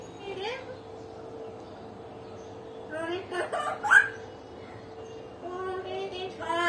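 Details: Pet hill myna, talking, laughing and sometimes crying: a quiet stretch, then clustered chattering word-like syllables with a sharp squeak, and a rising harmonic phrase at the end; low electrical hum throughout.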